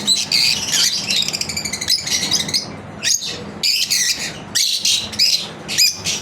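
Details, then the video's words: Lovebirds at home in their daily routine, sharp high chirps and squeaky trills in short bursts about every half second, with a low room hum underneath. "Lovebirds Chirping Video Daily routine"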